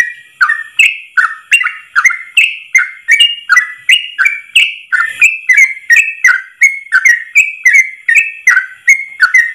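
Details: Yellow-vented bulbul (trucuk) master song in ropel style, sung long without pause: close to thirty bubbling whistled notes over nearly ten seconds, evenly paced, swinging between higher and lower pitches with clicky onsets.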